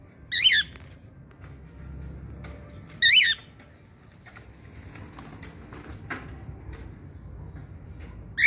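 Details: Pet cockatiel calling because it wants to play with the children: two loud, harsh, screechy squawks about two and a half seconds apart, with a third starting at the very end, over a quiet indoor background.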